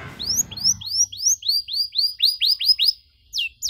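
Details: Canary song in the cengkok mewah style, used to teach young canaries: high rising whistled notes repeated about four times a second, after a short bit of low noise at the start.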